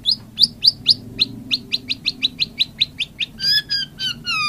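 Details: White-rumped shama song: a rapid run of about fifteen sharp, high chipping notes that ends in longer, richer whistles with layered tones.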